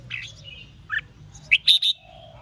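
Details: Red-whiskered bulbul in competitive 'ché' singing aimed at rival birds: a soft warble followed by three loud, sharp chirped notes in quick succession.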